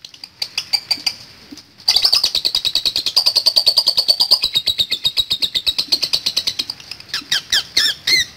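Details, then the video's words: Lovebird giving a long chattering song used to lure other lovebirds into singing: a fast, even train of dry ticking notes for several seconds, ending in louder squeaky chirps. "Pancingan Love Bird Ngetik Latah Ngekek Panjang"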